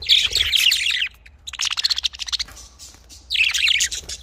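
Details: Budgerigar warbling, three bursts of busy, grating chatter, the middle one a fast run of pulsed ticks, recorded where the birds are kept for breeding.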